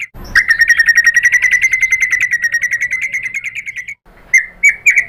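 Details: Fighter white-rumped shama singing to goad a rival bird into replying: a long, rapid trill of evenly repeated notes lasting about four seconds, then a few short whistled phrases.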